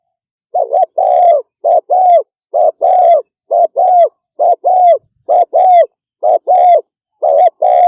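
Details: Spotted dove pouring out quick 'thúc gù' coos, about one per second: doubled soft notes, the second longer and gently falling, evenly repeated with no background noise.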